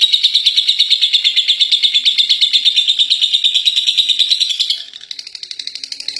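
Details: Winning contest lovebird performing the long ngekek chatter, high rapid pulsed notes running steadily for almost five seconds, then a sudden shift to a fainter, thinner series.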